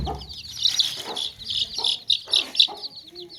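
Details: Chicks chirping in a basket alongside clucking hens: loud, rapid shrill peeps tumbling over one another, short hoarse clucks in bursts, one brief low tone at the end.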